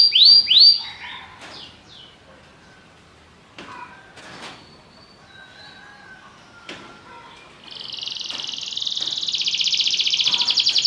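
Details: Belgian canary song, opening with two bright downward sweeps, then scattered clicks and thin whistled notes over a quiet stretch, ending in a dense buzzy high trill that grows louder.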